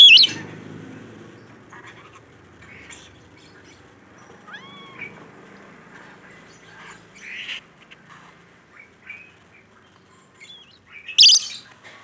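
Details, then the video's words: Rainbow lorikeet, a captive bird in full voice, giving harsh, shrill screeches at the start and end, with a bent whistle and scattered squeaky chatter in between over a quiet background. "Suara Burung Nuri Pelangi Gacor"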